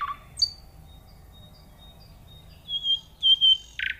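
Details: Nightingale singing in a quiet natural setting: a sharp high note, a long pause, then clear whistled phrases in short bursts and a final buzzy note.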